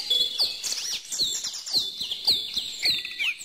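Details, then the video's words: Chirping birds in chorus, with one clear voice giving bright, sharply upslurred whistles roughly every half second among softer overlapping tweets and occasional low clicks. "bird song"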